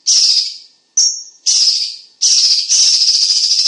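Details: Cucak cungkok singing loudly and tightly, as a vocal tutor for competition birds: four shrill buzzy bursts, one a thin whistled note, fading between phrases then ending in a sustained rasping stream.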